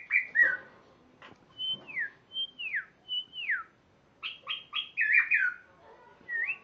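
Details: Spotted morning-thrush song of loud, pure whistles that swoop downward, spaced evenly, followed by a faster cluster of rising and falling whistled notes and a final upslurred note.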